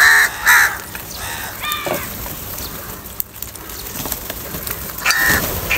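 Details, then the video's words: Crows fighting over food, harsh nasal caws at the start and again near the end, with a few softer calls between over steady outdoor background noise. "Angry kauwa ki awaaz | Crow bird Fight for Food"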